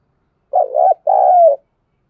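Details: Low, mellow coo of a spotted dove at dawn in the thúc gù or calling style, a short rolling note and then a longer, gently descending note, in a quiet setting.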